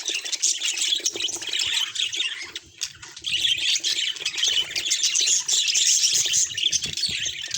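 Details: Budgerigars chattering in a group, a dense stream of high twitters and squawky chirps that dips briefly near the middle before swelling again.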